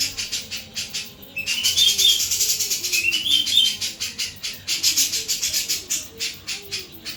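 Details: Sooty-capped babbler singing tirelessly in a clear voice: after a brief lull, bright twittering whistle phrases rise and fall, over constant rapid rasping pulses at roughly three to four per second.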